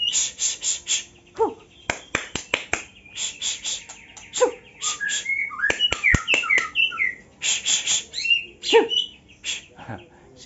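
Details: A small, young wild-caught White-rumped Shama sings in the morning: short, varied phrases of clear, rich mid-to-high whistles broken by sharp clicks, with a man talking now and then.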